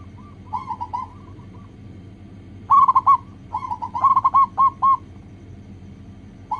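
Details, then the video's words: Local zebra dove song for luring others to sing quickly, with soft trilled coos building into loud, fast clusters of rounded notes, then a pause. "PANCINGAN PERKUTUT LOKAL AGAR CEPAT BUNYI"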